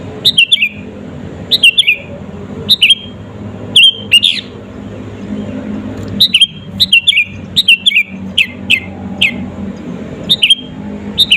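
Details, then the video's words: Vigorous sooty-headed bulbul singing as a lure for rival birds. Clusters of quick, liquid, dipping notes come in bursts, with some pauses between groups, over a soft rumbling background. "SUARA BURUNG KUTILANG GACOR ASLI TAMPA ISIAN..,!!!pancinga kutilang bikin lawan emosi..."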